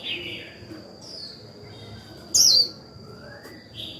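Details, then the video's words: Decoy white-eye kept to make other birds sing, giving one short, high, wiry warbled burst mid-clip. Softer, fainter chirps come before and after it, over a constant high-pitched whine. "Khuyên mồi líu vừa phải kích bổi líu ngay!"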